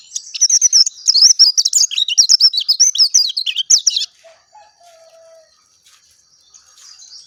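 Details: Oriental white-eye, known locally as pleci dakun, in a clear natural song: four seconds of rapid, high twittering with sweeping chirps, then quiet with a faint, lower, steady whistled tone.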